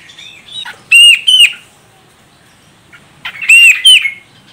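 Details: Female grey-cheeked bulbul from Medan in Sumatra, calling to draw out the male's song: two loud bursts of harsh, buzzy upslurred notes separated by a quiet gap.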